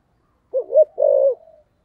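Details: Decoy spotted dove with a 'thổ' voice, recorded at the start of 2023. One brief low phrase: two short hollow coos and then a longer, wavering note that fades out.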